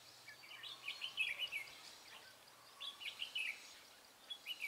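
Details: Red-whiskered bulbul recorded while trapping on 23 March 2018, singing a fast "ché" song: short, lively phrases of chirpy warbled notes separated by gaps of about a second, with a background hiss throughout.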